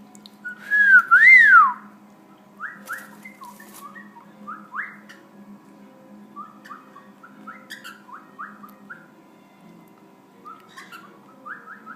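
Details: A pet male cockatiel that can talk gives a loud rising-and-falling whistle, then a run of short chirping notes.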